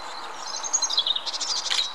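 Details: A European robin sings a thin, high warbling phrase of sweet whistles and trills that slide up and down, ending in a brighter jingling flourish; faint background hiss.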